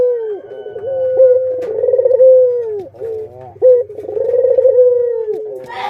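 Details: A puter dove, in a recording of parent and young birds, gives low, rolling coos in two drawn-out phrases, each swelling and then fading, with a faint buzzy undertone beneath.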